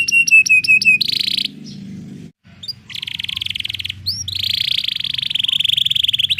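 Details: Canary roll offered as therapy playback for rarely singing canaries: quick repeated chips lead into buzzy trills, a brief pause, then a long steady rolling trill with a couple of upward whistles.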